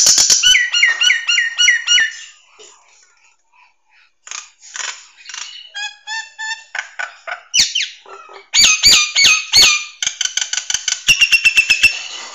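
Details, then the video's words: Nias hill myna song used to train songbirds, best played in the morning or afternoon: rapid repeated harmonic notes, squeaks and whistles, then loud clicking bursts and a fast series of bright, ringing notes. "SUARA BURUNG - Masteran Terbaik Jalak Nias"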